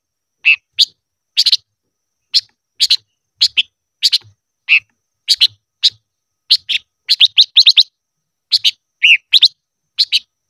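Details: Silver-eared mesia, voice training song in the 'ché' manner, a long irregular series of high clipped chirps, singles and doublets, with a brief rapid cluster midway and occasional lower slurred notes.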